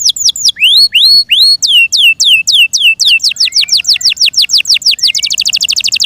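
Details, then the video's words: Song of a Yorkshire canary, opening with slurred descending whistles, then upward-swept notes, then a long run of falling sweeps that accelerates into a rapid buzzy trill. "THE BEAUTIFUL SOUND OF FI YORKSHIRE CANARIES THAT MAKES OUR HEARTS SO HAPPY"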